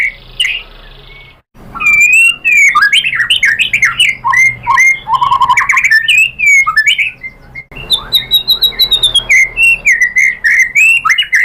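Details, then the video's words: White-rumped shama song played as a lure to provoke a reply, a loud continuous stream of varied whistles, slurs and chattering notes, with a fast repeated phrase in the second half. "pancingan MURAI BATU bikin EMOSI NYAUT"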